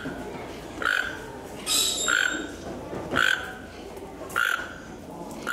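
A Toco toucan gives harsh, croaking grunts, about one a second, each with a rough nasal tone, over a faint background hiss.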